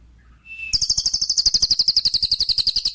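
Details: Lesser green leafbird (cililin) song, used as tutoring material for songbirds after moulting: a brief thin whistle, then a rapid, even, high-pitched chattering trill of sharp repeated notes, about eight per second, against a quiet background.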